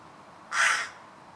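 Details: A single short, hoarse caw from a crow, rough and broad-toned, lasting about a third of a second against faint background hiss.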